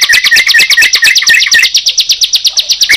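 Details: Bar-winged prinia and yellow-vented bulbul heard together, a dense run of quick high chirps about twice a second over short downslurred lower whistles, continuous and energetic.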